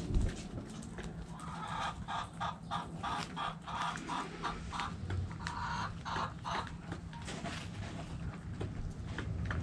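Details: Backyard hens in a chicken coop cluck in a loose, pulsing series of short, rough notes, with a constant low rumble underneath.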